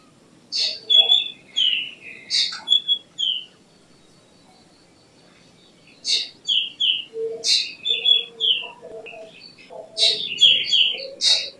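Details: Busy stretch of black drongo song, with harsh chatters and falling whistled notes strung closely together. Fainter lower chirps sit beneath them in the second half.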